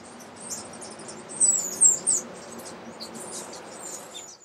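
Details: Blue-grey tanager in Alambi Cloud Forest Reserve, Ecuador, recorded in May 2012: three thin, very high, squeaky notes in quick succession, set against a steady hiss of insects and forest background.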